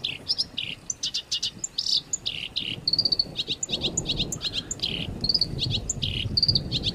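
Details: A songbird, used as a training recording for pet and contest birds, delivers a rapid, harsh string of high chattering notes and buzzy trills with short pure whistles, almost without pause, over a low background hum.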